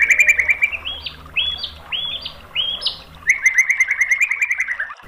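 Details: White-rumped shama song used as training and lure material: a rapid trill, then four rising whistled phrases spaced about half a second apart, then another fast trill.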